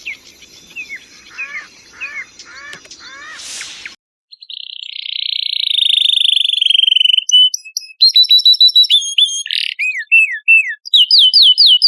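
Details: Canary song compiled as a training master for competition birds, with filler material from other songbirds: rapid rolling trills and downward-sweeping notes, then a long buzzy sustained phrase, followed by sharp whistled upslurs and clipped repeated chips.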